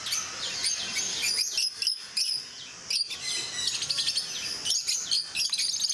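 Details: Captive rosy-faced lovebirds at Mysore Zoo chattering almost nonstop, with dense overlapping high-pitched chirps and squeaks from several birds and barely a pause.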